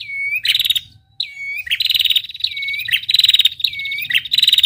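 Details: Female red-headed prinia trilling, used as a training lure: dry, buzzy trills in quick bursts about once a second, each paired with a short, curved whistle.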